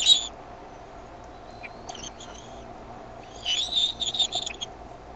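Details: Bald eaglets at the Decorah nest, evening of 13 May 2015, with the mother bringing food; a sharp opening chip, faint thin whistles, then a rapid run of high, chittering peeps near the end.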